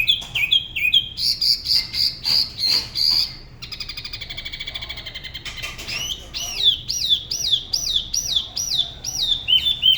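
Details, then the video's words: Da Lat spot-throated babbler singing alone at the La Ba river, Vietnam: quick whistled notes, then a long steady high buzzy trill, a softer harsh stretch, and a series of looping whistled phrases. "Tiểu mi La Bá hót solo/ Spot-throated Babbler the best solo La Ba river"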